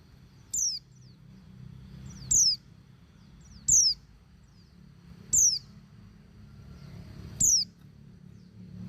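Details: Female white-eye calling to males, used as a lure to get silent males singing: single thin, very high notes that sweep steeply downward, repeated every one and a half to two seconds over a low background hum.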